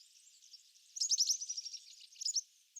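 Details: European serin song: a rapid, liquid twitter of very high-pitched notes run closely together. A quiet lead-in comes first, then a bright tumbling burst, with only slight background noise.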